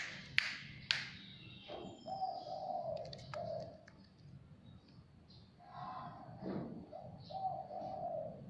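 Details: Zebra dove that came to a house on its own, giving soft, low, rolling coos in two bouts, with clicks and a steady low hum in the background.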